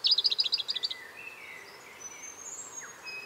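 A pink robin gives a quick, thin, high twittering trill of about a dozen notes lasting a second. Fainter thin whistles from other birds follow.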